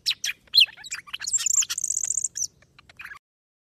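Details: Short burst of golden-fronted leafbird song from Vietnam, used to lure birds for trapping: a few sharp downslurred notes, then a thin, very high rapid trill amid twittering, ending abruptly in silence.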